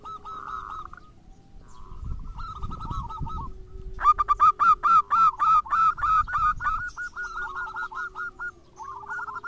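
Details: Zebra doves, local and crossbred, in a lure recording meant to set other doves singing; a quick run of staccato cooing notes repeated about four per second, loudest mid-clip, with softer cooing before and after and low rumbling in the background.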